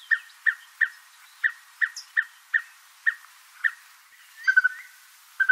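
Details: Red-fronted tinkerbird calling near Port Alfred, Eastern Cape, South Africa: steady series of short, hollow, mid-pitched tink notes, about two per second, with faint higher chirps from other birds.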